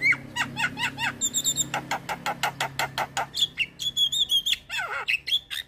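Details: Javan myna in a rich, full song used to coax other mynas to sing: quick chirps and clicks repeated steadily, high sweeping whistles, falling slurred notes, with a low background hum.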